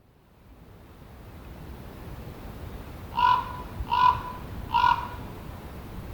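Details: ['Common raven croaking: after about three seconds of quiet background hiss come three short, hoarse, harmonic croaks spaced under a second apart, each of even pitch, with faint steady noise between them.']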